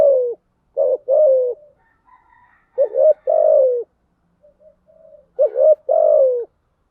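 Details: Spotted dove coos used as a lure for doves, 'thúc gù, gáy gọi' styles: four groups of low hollow hoots, each a clipped note followed by a longer falling coo, with faint softer cooing between them.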